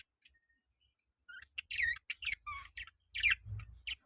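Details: Budgerigars in a colony: after a quiet start, a run of rapid, scratchy warbling chirps with squeaky, wavering notes, some low thumps beneath.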